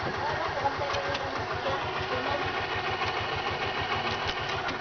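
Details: A motor engine idles with a fast, even pulsing throb and broad mechanical noise in Palawan, Philippines, 2013, and no bird can be heard.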